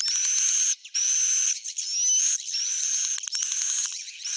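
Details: Swiftlets giving a roosting call meant to draw birds in: continuous rasping high twitter with faint rising whistles, pausing briefly around the first second.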